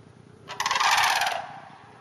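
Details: A sandhill crane in a hayfield about half an hour north of the Twin Cities gives a single rolling, rattling trumpet call lasting just under a second, with faint background hiss.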